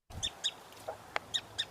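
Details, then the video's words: A winter wren gives four short, harsh, high call notes at irregular intervals, with one lower note and a sharp click between them. The notes are more drawn out than a Pacific wren's. "This is what a winter wren sounds like."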